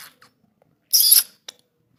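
A budgerigar gives one short, harsh, high-pitched chirp between faint clicks.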